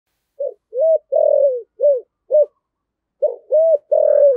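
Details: Spotted dove lure call, used to attract wild doves, in the deep-voiced style: clean repeated arched coos, short notes and longer drawn-out ones, in two phrases separated by a pause, nothing else heard.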